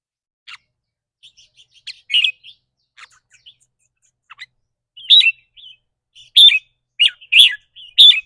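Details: Red-whiskered bulbul kept in a cage, giving rik rua or rik ble song that depends on its daily mood. Scattered quiet chirps build into a run of loud, rich, rolling phrases, closely spaced toward the end.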